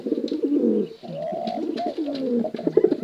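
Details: Male and female contest pigeons give a steady run of deep, throaty, wavering coos that blend into one another without pause.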